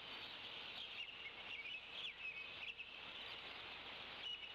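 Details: Bald eagles at the Decorah nest around 10 am. The mother calls for her mate while feeding the chicks, and he arrives with a fresh live fish. Thin, high chittering notes rise over a steady background hiss.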